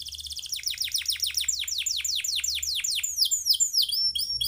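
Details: A canary in long, fast, rolling song used as a tutor recording for other birds: quick high notes swooping downward, three or four per second, turning into brighter, varied twitters, over a faint low hum.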